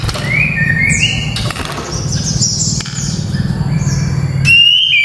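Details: Song of a white-rumped shama, meant to build the nerve of young fighter birds: scattered whistled notes and brief high chirps, ending in a clear sustained whistle, with a low humming noise throughout.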